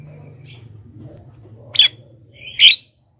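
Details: Black-winged myna lure call to attract wild birds: two loud, grating squawks close together after a quieter stretch of low hum.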